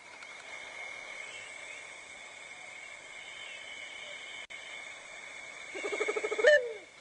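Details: Southern white-faced owl (Ptilopsis granti) call played as an example, a quick, stuttering burst of low bubbling hoots near the end, over a steady high-pitched electronic whine.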